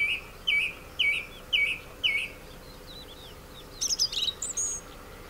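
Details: Male song thrush singing from abandoned orange groves in the Ribera Baixa, Valencia, Spain, where it now breeds; a short whistled phrase repeated four times about every half second, then a scratchy high twittering phrase.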